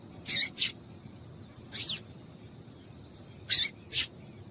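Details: Female double-collared seedeater call, used to stimulate males into singing: brief high sharp chips, mostly in quick pairs, with one descending slurred note between, over a quiet background.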